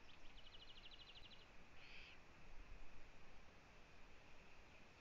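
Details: Eurasian eagle-owl nest with owlets in Latvia, live camera, 1 June 2017, 15:01, as the mother visits. A quick series of thin, evenly spaced ticks is followed by a single breathy, rasping hiss over background noise.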